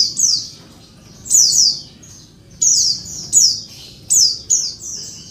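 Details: Female Oriental white-eye calling to trigger male song: thin, high downslurred chirps, some doubled, in an irregular series with short pauses.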